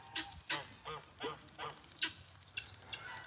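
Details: Helmeted guineafowl at an animal sanctuary, a mixed flock of darker and white birds described as very noisy most of the time, give harsh, grating calls repeated rapidly, about two or three every second.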